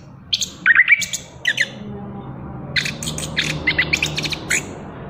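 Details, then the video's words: Chestnut-capped thrush singing trotol style, bursts of sharp clipped notes and short whistles separated by brief gaps, over a low steady hum. "Anis Kembang Lepas Trotol Gacor Ngerol"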